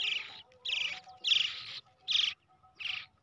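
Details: Baby brown shrike hand-reared from the egg giving harsh, hissing begging calls, five broad bursts about every 0.7 seconds, high-pitched and raspy.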